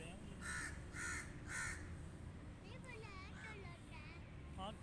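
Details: Three rasping crow caws in quick succession at the start, then people speaking over steady low background noise.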